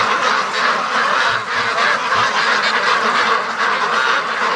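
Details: A large free-range flock of domestic ducks heading back from the lake into their pen in the daily rush home; unbroken massed quacking, harsh and nasal, layered from countless birds at once.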